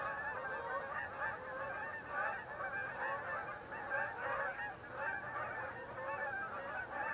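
Canada geese honking in a dense, continuous chorus of overlapping nasal, two-toned honks, many birds calling at once.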